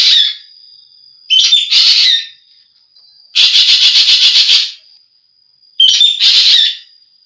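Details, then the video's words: Ekek geling, recorded for bird keepers to tutor songbirds: high harsh chattering phrases alternating with a rapid rattled series of about ten pulses, separated by thin sustained whistles. "suara burung ekek geling"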